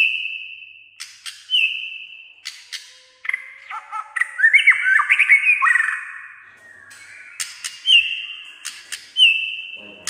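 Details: White-rumped shama singing in many voices, said to sing nearly all day; level whistles with clicks open and close a varied middle passage of warbled, stepping phrases, loud and clear.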